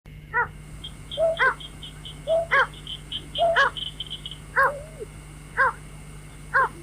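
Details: White-breasted waterhen call, used as a lure for night bird trapping: loud harmonic-rich notes repeated about once a second with lower short grunting notes between, faint high chirps in the background and a steady electronic hum.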